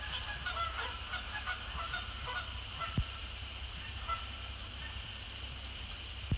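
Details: Canada geese, resident and migratory, arriving after sunset to splash down on Sapsucker Woods Pond; a quick run of overlapping honks fills the first two seconds, then scattered single honks, over low rumble and steady hiss.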